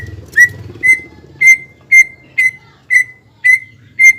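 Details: Greater green leafbird singing to excite and provoke a rival. Clear, steady whistled notes, each swelling slightly, repeated about twice a second over soft low background noise.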